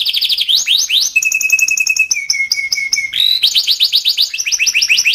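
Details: Timbrado canary singing a varied melody of quick rising notes, held level whistled trills and clipped repeated notes, ending in fast rolling phrases.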